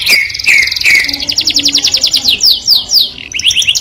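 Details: Melodious canary song that attracts the opposite sex, opening with three falling whistled notes, then a fast high trill and quick descending slurred notes repeated in rapid succession.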